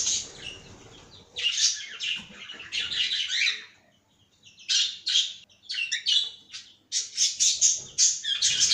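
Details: Caged cockatiel giving loud, scratchy, high chatter in bursts, then a string of short sharp chirps near the end, with quiet gaps between phrases.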